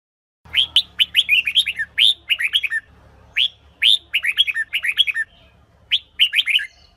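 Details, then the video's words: Female red-whiskered bulbul, calling to prompt males to sing, pours out an almost continuous stream of quick slurred chirps, rising and falling, in loose groups of three to five notes. "Chào Mào Mái Kích Trống"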